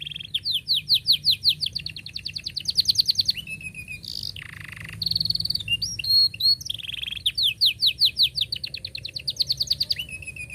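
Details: Canary singing long, closely rolled song to tutor young canaries: rapid repeated rising sweeps, several per second, broken by buzzy rattles and high trills, then the sweeping series resumes.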